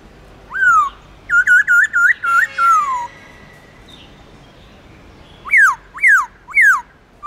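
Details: Black-throated laughingthrush as a cage bird giving long-slurred forest-voice song. A falling whistle, a rapid run of about six looping notes, a drawn-out descending whistle, then three steep downslurred whistles after a pause.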